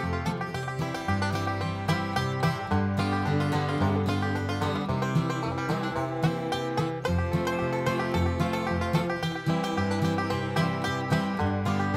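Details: Bright plucked banjo and guitar music in a bluegrass style plays throughout, with no animal calls audible.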